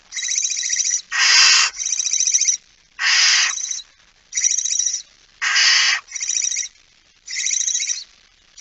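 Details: At its nest during feeding, a Barn owl recorded 19 September 2019 at 05:28 gives a steady run of rasping, snore-like hisses. Each lasts about a second, some softer and some louder, in an irregular rhythm.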